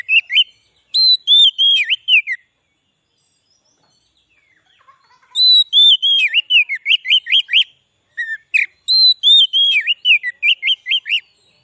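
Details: White-rumped shama song played to lure wild shamas in the forest and to excite caged birds: three bursts of fast, looping whistled notes with sharp clicks, separated by pauses of silence.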